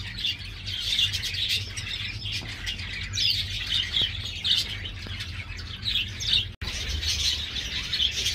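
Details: Captive-bred young star finches, just fledged and making first flights, give a steady stream of thin, high chirps and short squeaky notes, several birds overlapping, with a faint low hum underneath.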